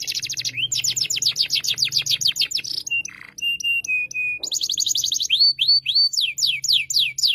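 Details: Canary song for a learning young canary: fast buzzy trills, then a pause of pure sustained whistled tones held steady, before trills resume and clear rising-falling whistles repeat toward the close.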